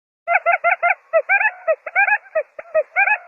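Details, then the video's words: A quail gives quick bursts of nasal, harmonic chattering notes, four or five to a burst, repeated through the clip; no other clear sounds. "बटेर की आवाज || Quail Bird Awaaz"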